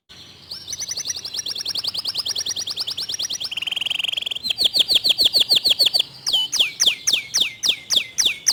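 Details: Local canary delivering clear, fast 'tembakan' song: a buzzy high trill, a lower rattling trill, then faster, louder runs of sharp falling notes, changing phrase every few seconds.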